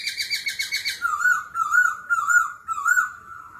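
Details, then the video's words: Laughingthrush singing a wild-type competitive song with continual voice changes: a quick stuttering run of harmonic notes, then a wavering warbled whistle rising and falling several times. "Khướu hót giọng rừng - hót đấu - đảo giọng liên tục"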